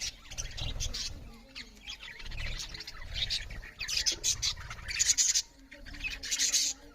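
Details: A group of budgerigars chirping loud while eating, with uneven bursts of high, raspy chirps and squeaks swelling and fading over soft low knocks.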